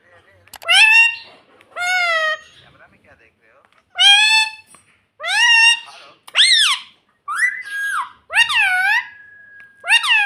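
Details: A talking pet ring-necked parrot indoors repeats "mummy" in clear, shrill, arched syllables spaced a second or two apart, ending in a quicker run of squeaky notes.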